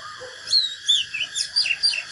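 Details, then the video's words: A short fighting-song phrase from a natural Oriental magpie-robin: five or six loud, clear whistled notes, some rising and some falling sharply, over a steady high hum. "KÍCH LỬA chòe than || Chích chòe than HÓT ĐẤU CHIM TỰ NHIÊN"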